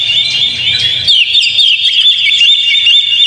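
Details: Short burst of Oriental magpie-robin song aimed at making a caged bird sing. Rapid high chips and whistles run continuously, with a low hum in the first second.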